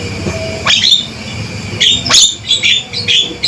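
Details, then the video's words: Male Javan myna giving loud, sharp calls: a harsh rising squeal near one second, then a cluster of shrill, scratchy notes after two seconds, over a steady low hum. "Panggilan Suara Burung Jalak Kebo Jantan Gacor & Lantang"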